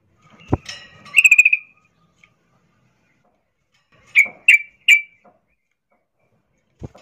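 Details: Female sooty-headed bulbul in heat calling a male: a short chattering burst of rapid notes, a pause, then three separate sharp chirps in quick succession, with a couple of soft clicks.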